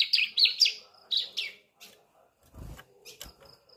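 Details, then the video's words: Juvenile ciblek (Sunda streaked-tit) practising song: three quick high chirps followed by two more, then quiet with faint low knocks and soft background noise. "Suara Ciblek Anakan, Pancingan Gacor Ciblek Dewasa"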